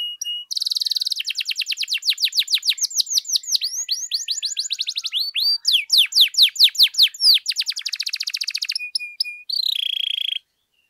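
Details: Canary in full song, played to provoke other canaries to sing: an opening trill gives way to a long run of rapid downslurred whistles that speed up and thicken, then a dense trill and a steady held note.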